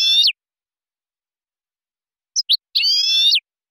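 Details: European goldfinch recorded for silvestrismo song training: buzzy, harmonic-rich rasping phrases, a short one, then two quick chirps and a longer nasal buzz after a pause, with no other sounds.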